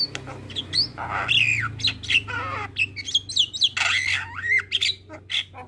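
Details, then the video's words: Black-winged starling song for training captive starlings: wavering whistles and warbled slurs weave among harsh squawks, with a faint low hum beneath. "MAsteran Jalak Kebo Full isian"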